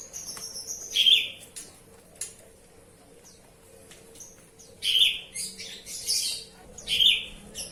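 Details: Oriental magpie-robin (kacer) during its bath, giving bright, short whistled chirps about every two seconds between sharp splashing or fluttering bursts, with faint high twitters in between.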